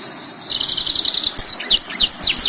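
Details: Black-throated canary in full song, used as a master recording for tutoring canaries, blackthroats and yellow-fronted canaries: a fast buzzy trill of even notes, then sharp high downslurred whistles and chips.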